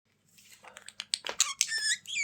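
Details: Budgerigar chatter, indoors: a run of short clicks and squeaks building into bright, buzzy warbled notes, with a steady low hum underneath.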